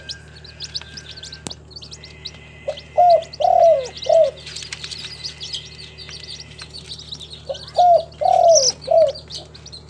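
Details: A local Spotted Dove kept in a bird collection in Timika, Papua, gives two phrases of four soft, hooting coos, the third note longest, with small birds chirping high in the background.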